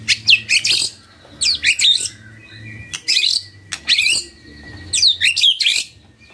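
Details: Magpie-robin singing in the morning, a song meant to prompt quiet birds to answer: loud bursts of sharp, high chirped and scratchy phrases every second or so, separated by short pauses, with faint low background hum.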